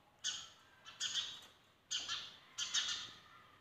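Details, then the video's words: Sparrows at a window in the morning: four bursts of harsh, squawky chirps at about one-second intervals, bright and broadband, over a quiet background. "Sparrows at window | Morning"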